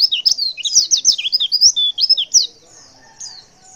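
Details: Female white-eye giving a call meant to make males answer: about two and a half seconds of rapid, high, squeaky twittering with rising and falling slurred notes, then near silence with a faint thin note or two.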